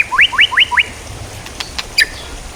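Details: Four crisp, sharply rising whistled notes from a white-rumped shama in quick succession, followed by faint clicks and a short high note; recorded as training material for songbirds.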